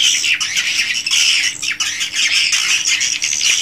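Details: Original recording from a swiftlet house: crowded high twittering of swiftlets with several sharp downward-sweeping chirps standing out above the steady chatter.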